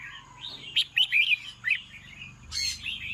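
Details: Evening song of a red-whiskered bulbul: a few quick, sharp warbled notes clustered together, then softer chirps, over a low steady hum.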